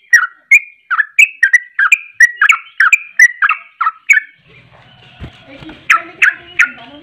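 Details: Agitated sooty-headed bulbul in its emotional 'ropelan' rapid song, meant to heat up rival bulbuls: about a dozen quick, bright, slurred whistled notes in a fast run, a brief pause with low rumbling, then three more notes.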